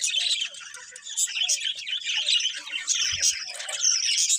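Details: Budgies twittering in a dense flock chorus, quick high chirps and whistled warbles running together almost without pause, with one brief low knock near the end.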